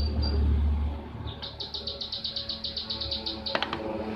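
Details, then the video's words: Trapping-lure recording of a blue-tailed bee-eater. After a brief single note, an evenly spaced run of about fifteen short, high chirps follows over low background hum, ending with a few clicks. "MASTERAN BURUNG KIRIK KIRIK CIRIK CIRIK SUARA PANCINGAN"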